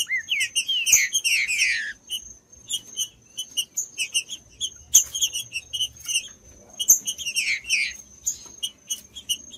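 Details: Green-winged saltator, a bird kept by breeders for song tournaments, singing to warm up other saltators: loud whistled phrases sliding downward, bursts of sharp high chirps, and a steady thin high tone in the background.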